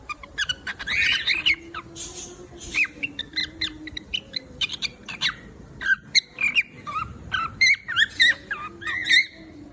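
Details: Singing cockatiel giving a busy run of harmonic whistles and chirps, many rising or bending, in quick bursts with short gaps; a faint steady low hum sits beneath.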